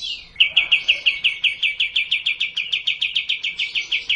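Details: Sooty-headed bulbul, provocation sound for a quiet bird: a falling note, then an unbroken string of bright chipping notes repeated about five times per second to the end.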